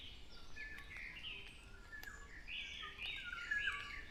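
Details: Black-naped Oriole calling in the morning, the day after rain, with bright, slurred whistles that rise and fall, one near the start and a longer run after a pause, over steady low traffic noise.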